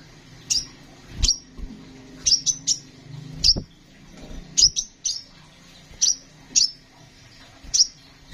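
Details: Kolibri ninja sunbird, recorded as a master song for cage birds, gives sharp high tweets about once a second, sometimes in quick pairs or triplets, over faint low rumbling and a couple of knocks.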